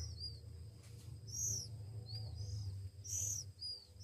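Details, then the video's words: Oriental magpie-robin chicks one week old while hand-fed; scattered high, thin, downward-arched squeaks, a few louder, over a steady low hum. "Anak Kacer Umur satu Minggu"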